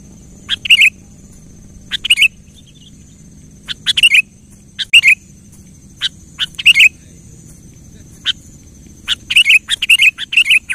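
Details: Kutilang (sooty-headed bulbul) in lively song, used to provoke a quiet bird into singing: short bursts of sharp, bubbly whistled phrases every one to two seconds, each a quick rising-falling flourish, with a faint steady high hum.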